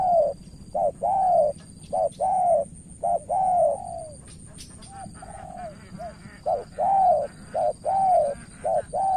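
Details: Spotted dove from Cà Mau, Vietnam, a decoy failing to win over a wary rival: repeated mellow coos in short-long pairs, arched and falling, nearly once a second, with a brief gap midway and a faint high whine.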